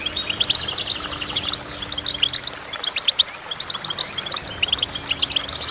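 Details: Goldfinch singing in a lively, bubbly run of high chirps and liquid twitters, with a brief downward-sweeping note near the middle and steady fast phrasing throughout.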